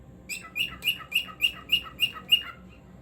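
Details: Cockatiel chirping a steady run of eight short, bright notes, roughly four per second, each with a falling tail, in a quiet room.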